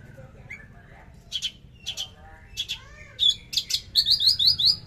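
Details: Javan bush lark singing in the trotol style with sharp shot-like bursts: scattered buzzy notes give way to a run of bright, rapid repeated chips high in pitch, each burst louder than the last, over a low steady hum.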